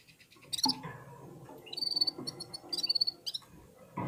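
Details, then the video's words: Red-fronted serins singing in unison while warming up: rhythmic bursts of high, bell-like trilled notes, with a loud knock at the start and another at the end. "Попели поели и опять попели в Унисон Красношапочные вьюрки"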